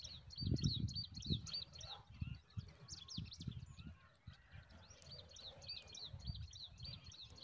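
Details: Zitting cisticola feeding newborn chicks a huge mantis; rapid high chirps come in two bursts, about three per second, with low thumping and rustling noise in between.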